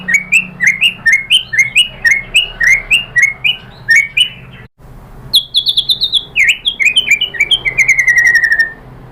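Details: Murai batu, or white-rumped shama, delivering pancingan lure song intended to provoke answering birds: a long run of sharp down-slurred notes, an abrupt cut, higher whistled notes, then a rapid buzzy trill closing the phrase.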